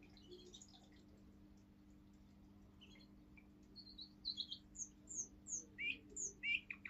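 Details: Forest tune of a seven-month-old male Russian singing canary, pure singing line: faint at first, then clear high whistled notes and rising upslurred calls repeated at an even pace.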